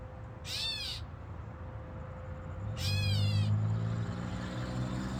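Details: Two meowing, arched catbird calls in fig trees, about two seconds apart, followed by a low rumbling engine-like drone and a faint steady hum.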